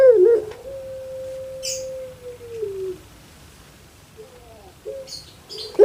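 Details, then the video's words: Puter pelung, an Indonesian pet dove, holds one long even coo that slowly drops away, followed by faint soft notes and a few light rustles. "KAGET PARAH DENGAR SUARA BURUNG INI SEPERTI ANAK MENANGIS"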